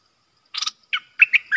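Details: Red-whiskered bulbul, dok taeng type, kept as a decoy for trapping wild birds, 12 September 2021: a harsh scratchy chirp, a pause, then three sweet whistled notes closing with a brief trill.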